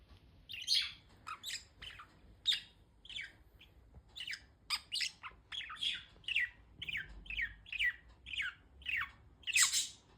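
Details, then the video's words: Pet budgies chirping in a steady run of short, squawky, bright notes, roughly two per second, with some louder, harsher chirps mixed in and a quiet room behind. "Budgies sound || Chirpy Birds"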